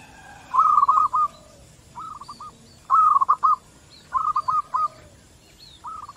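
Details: Local zebra doves call back and forth in short, bubbly cooing phrases of four or five quick rolling notes, repeated every second or so, used as a lure to prompt other doves to answer; faint high chirps from another bird behind.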